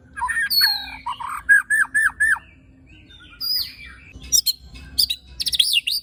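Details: White-rumped shama (murai batu) song in tembakan and besetan style with coarse fill: rich warbling, then a run of falling whistled notes, a brief lull, and sharp high trilled flourishes at the end.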